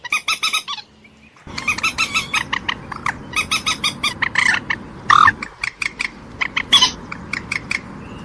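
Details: Common moorhen giving loud, repeated croaking clucks in quick runs, some notes slurred upward, over a steady background hiss; a short quiet gap early on.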